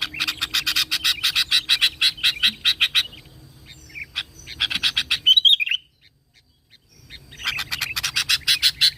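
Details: Sooty-headed bulbul (kutilang) in lively, constant song, used as a lure to draw other bulbuls into calling: a long run of sharp, harsh chattering notes in quick succession, a brief bright whistle, a short pause, then the chatter resumes.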